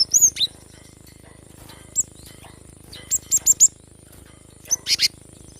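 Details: Cinereous tit calling briskly, meant to coax quiet birds into singing: scattered high, thin whistled notes, a quick run of four sharp chips near the middle, then a pair of buzzy notes near the end, with a faint steady hum behind.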